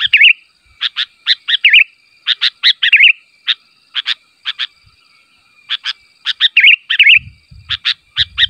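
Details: Sooty-headed bulbul giving a long run of brisk chirps in pairs and triplets, broken by several rolling, wavering phrases; the calling is meant to make other bulbuls answer. Faint low thuds near the end.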